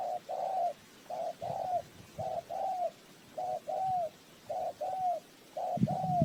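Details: Trap-lure spotted dove cooing at moderate distance: paired notes, a clipped coo then a longer arched one, repeated roughly every second against a hissing background and a low thump at the end.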